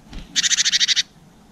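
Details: Garden birds at seeds (black-capped chickadee, blue tit, greenfinch), filmed by GoPro about 7 pm in April 2020; a loud, fast trill of about nine even pulses lasting under a second.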